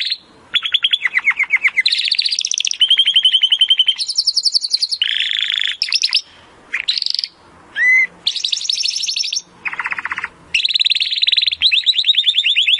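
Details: Timbrado canary delivering a varied song for canary training: a succession of fast buzzy rolls and trills at shifting pitches, separated by brief gaps, with one sharp rising slur in the middle and a long high roll to finish.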